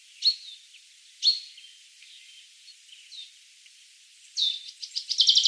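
Allen's hummingbird gives sharp, high chips about a second apart, then a quick stuttering run of thin, excited chips at the end.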